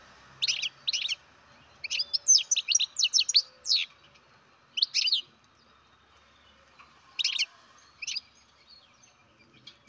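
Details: Baby European goldfinch, bred in captivity, producing clusters of high, quick chirping notes: paired chirps, a longer twittering run near three seconds, then scattered double chirps over a quiet background.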